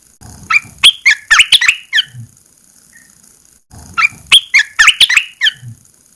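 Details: Two rapid phrases of bright, choppy, gurgling notes from a caged red-eyed bulbul just after its cover is removed following 14 days of cover therapy. Faint low background noise is heard between the phrases.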